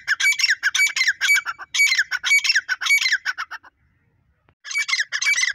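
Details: Female grey francolin calling: harsh, rapid, squawking chatter in dense bursts repeated about twice a second for nearly four seconds, a brief silence, then the chatter resumes.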